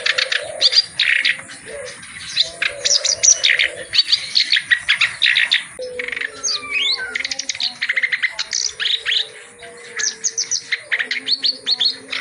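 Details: Reed warbler singing energetically with a full repertoire, used as tutoring material for reed warblers that sing little: a fast, dense run of harsh chattering notes and high chirps in rapid bursts, with lower steady whistled tones underneath.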